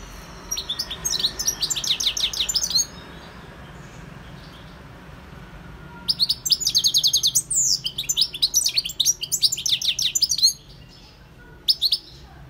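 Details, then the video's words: European goldfinch song in two long bursts of rapid twittering, with rhythmic repeated buzzy notes and tinkling trills separated by several seconds of quiet, plus a brief final chirp. "GOLDFINCH SINGING 1H Chant Chardonneret اسمع واستمتع صوت الحسون البري Jilguero Campero"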